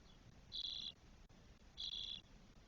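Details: Twelve-day-old Spotless starling chicks, four in a nest in Spain, 1 June 2022, producing two drawn-out rasping hisses about 1.3 seconds apart against quiet low background noise.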